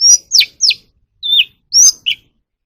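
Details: Oriental magpie-robin song used to train captive birds to sing: six loud, clear whistled notes, mostly sharp downslurs plus one level whistle dropping at its end, spaced by short pauses over under three seconds, with no other sounds.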